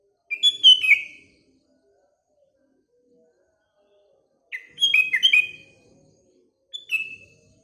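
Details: Bubbly morning song of a sooty-headed bulbul, heard alongside other birds: three phrases of clear, falling whistled notes, the middle one longest and fullest, and the last a short two-note slur. The background is quiet.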